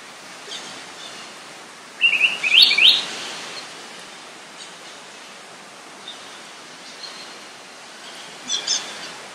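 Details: A male Helmeted manakin in Tocantins, Brazil, where the species is often found along streams, sings one quick, loud burst of high, rising, slurred notes, then a faint short echo near the end, over steady hiss.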